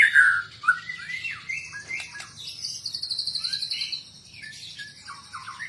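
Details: White-rumped shama fighter with full fills: two loud rich whistles, scattered softer notes, then a long buzzy high trill of rapidly repeated notes and a few closing whistles.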